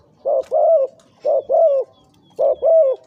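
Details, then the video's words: Spotted dove, a decoy bird aged two to three years, calling in big, middle and small voices: paired low coos, a short note then a longer falling one, repeated about once a second. "นกต่อ เสียงใหญ่(เจ็กหัวโต)และเสียงกลางกับเสียงเล็ก จ้วดๆ"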